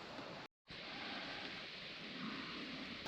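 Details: Steady hiss like rain or rushing water fills the recording, broken by a brief total silence near the half-second mark; no animal voice can be picked out.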